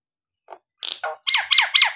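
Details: A kept Nias hill myna gives a few soft squeaks and a rough note, then a quick series of loud, sharp, falling whistled calls, meant to provoke silent birds to sing.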